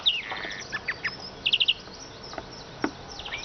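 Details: Brief, fairly soft siskin twittering: a few thin high notes, then a quick burst of four bright chips, with faint ticks after.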